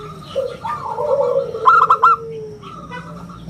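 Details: A local zebra dove with a clear round song, used to draw in and teach other birds, gives one short burst of clipped ringing notes. Lower cooing from other doves runs throughout.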